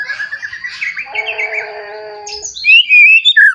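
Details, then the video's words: Newly matured white-rumped shama singing to provoke rival shamas. Soft warbled phrases with held lower whistles give way to a loud, clear rising whistle near the end. "Murai Batu Gacor Ampuh Untuk Pancingan Murai Batu Agar Bunyi Langsung Emosi"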